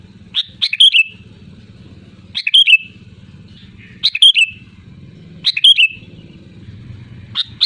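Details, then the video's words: Sooty-headed bulbul singing loudly for use as a lure: bubbly phrases of a few rapid whistled notes with a falling tail, repeated about every one and a half seconds over a low hum. "SUARA ASLI GACOR LANTANG BURUNG KUTILANG"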